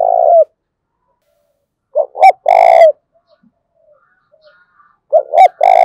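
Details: Spotted dove coo meant for training decoy doves. Recorded loud and harsh with buzzy overtones: the tail of one coo, then a full phrase of two short notes and a long coo, and another phrase starting at the end.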